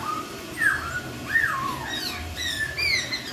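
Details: Short burst of melodious laughingthrush song that prompts other laughingthrushes to reply: two strong upswept then falling whistles followed by thinner, higher slurred notes.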